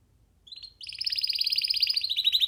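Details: Young canary singing while perched on a person's hand: a brief thin note, then a continuous fast rattling trill held at a high, steady pitch.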